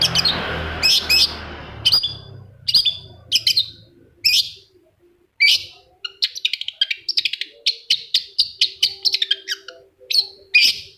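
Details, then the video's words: Long-tailed shrike song used to make a reluctant bird answer: piercing clipped whistles spaced about a second apart, then a quickening chain of rapid chattering notes, crisp and dry, ending in loud slurred calls. "PANCINGAN CENDET MALAS BUNYI SEKETIKA CENDET LAIN LANGSUNG NYAUT!!! | Singing of shrike bird"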